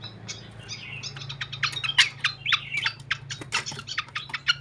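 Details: Quieter flycatcher lure sound: fast runs of sharp, high chirps and clicking twitters, about four or five per second, with a constant low droning hum beneath.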